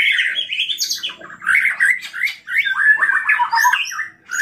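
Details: Energetic white-rumped shama song played to stir other shamas into singing. Rapid, unbroken warbling mixes slurred mid-pitched whistles with sharp high chips and brief rising notes.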